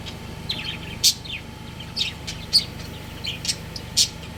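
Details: Breeding pair of pet budgies calling indoors with short, piercing chirps every half second or so, interspersed with softer twittering, against a steady background hum.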